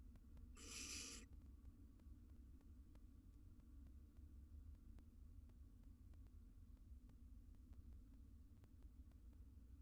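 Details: Barn owl nestlings, wild, preening one another inside a nest box: a short harsh hissing burst near the start, then only a continuous low electrical-sounding hum for the remaining seconds.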